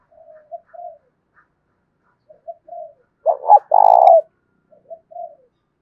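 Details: Decoy spotted dove cooing in the thổ đồng voice style to provoke fighting: soft low coos, then a loud two-part buzzy burst with a long rolling coo, followed by more soft coos; quiet background.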